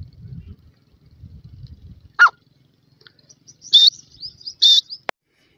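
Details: In a forest, grey francolin chicks tussle over grass: one sharp mid-pitched call, a pause, then two loud shrill high peeps close together and a final click against near silence.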